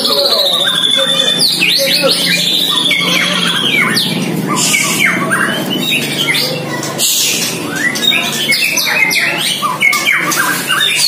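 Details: White-rumped shama aged one year, first time trained against a neighbour's bird and attacking it: long outpouring of squawky, chattering phrases and quick whistled sweeps, with a brief pause midway, a faint low hum beneath.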